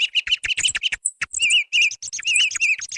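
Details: Song thrush, recorded for use as a hunting lure. A fast series of high staccato chips is followed by a sweet, wavering warbled phrase repeated about four times in quick succession.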